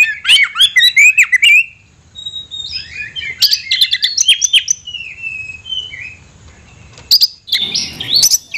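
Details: Energetic chirp bursts and bending whistles from an Oriental magpie-robin (kacer) in 'isian mewah' style. Softer, drawn-out whistled phrases follow after a pause, and a noisy rasp closes the passage.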